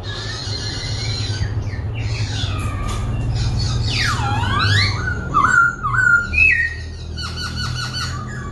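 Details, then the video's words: Laughingthrush singing while dancing, constantly switching voices: a varied run of clear whistles, deep swooping slurs falling and rising, short warbled phrases and quick rattling notes, over a steady low hum. "Khướu vừa hót vừa múa , Đảo giọng liên tục"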